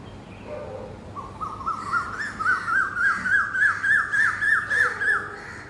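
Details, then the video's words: Asian koel perched in a tree in a park, recorded in the morning: a rapid run of clear, ringing notes that climbs gradually in pitch and loudness, about three or four notes a second, over a low background hum. "कोयल की आवाज़ ||Cuckoo sound"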